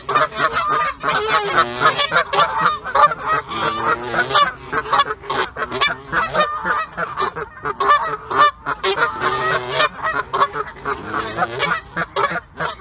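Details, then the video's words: Canada geese in territorial pairs before breeding, honking at and attacking geese that come near, among swans, other geese, coots and ducks. Dense, overlapping nasal honks from many birds sound almost without pause, with brief sharper squawks. "Swans, Geese (Canada, Egyptian and Greylag), Coots, Ducks. Chasing, attacking, honking, and hissing."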